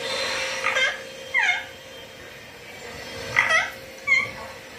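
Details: Pet green rose-ringed parakeet talking indoors: a few short squeaky, bending vocal notes with downward-sliding tones, spaced about a second apart, over steady room hum.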